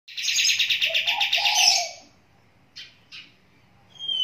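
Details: Sooty-headed bulbul singing while sitting in water, giving a rapid, bright chattering burst for two seconds, then a few short notes and a clear high whistle.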